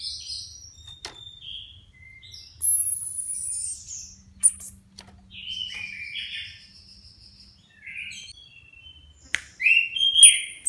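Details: Caged orange-headed thrushes, about two months after moulting, hung side by side at home to test their readiness for competition. One sings rich, varied phrases of high slurred whistles and sharp chirps in bursts, overlapped by the other birds, with faint room noise.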